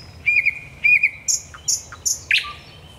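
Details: Thrush nightingale at night, Raszyn Ponds, 10 May 2021: two clear level whistles, then high piercing notes paired with low clicks, finishing in a short harsh burst.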